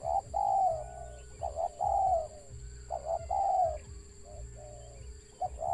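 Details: Stuttering call of a wild spotted dove: repeated phrases of two or three soft hooting coos, the opening notes choppy and doubled, about forty phrases per minute, with a low droning background.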